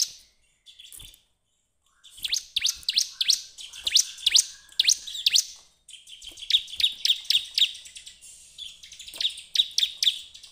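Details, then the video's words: Bar-winged prinia song meant to draw other birds into singing: long runs of rapid, sharp high chirps in quick rhythmic bursts, with short breaks between phrases. "pancingan ciblek terbaik untuk memancing ciblek gacor"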